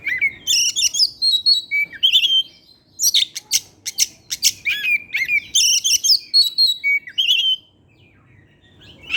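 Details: Oriental magpie-robin singing in the evening with plenty of varied material, a lure song for other magpie-robins: loud bursts of whistles, rasps and clicking chirps, ending in a quiet stretch.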